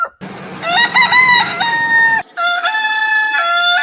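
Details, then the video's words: Crowing rooster of a heritage chicken breed: a drawn-out cock-a-doodle-doo with a rising stepped start and long flat tail, then a second crow after a brief cut, faint background hum. "Chicken Crowing Ayam Berkokok Con Gà Gáy"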